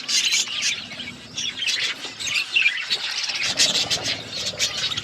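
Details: Chattering flock of budgerigars feeding, overlapping shrill chirps and squeaky warbles in dense waves, rising and dipping in loudness throughout.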